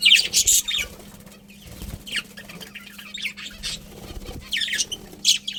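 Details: Budgie colony with short bursts of harsh, high chirps separated by quieter gaps, some wing flutter, and a faint low hum throughout.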